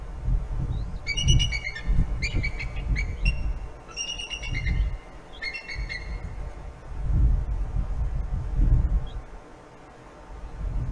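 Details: Bald eagle at the nest, filmed by a forest service nest camera in Kisatchie National Forest on 25 January 2022 at 14:50: four bursts of high, piping, chattering notes, over steady low rumbling wind noise.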